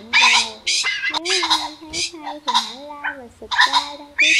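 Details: Red junglefowl, a flock of males and females, calling as a lure: loud harsh squawking bursts with a low droning tonal undertone, several overlapping calls in quick succession.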